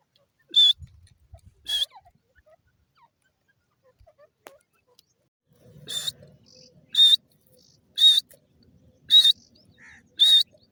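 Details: Pakistani francolin producing single shrill, strident notes, two early on and then five spaced roughly one second apart, over a quiet background with a faint low rustle.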